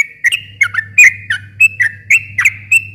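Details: Lure song of a yellow-vented bulbul used to stir quiet or stressed birds to reply: quick slurred whistles, roughly three per second, over a steady low electrical hum.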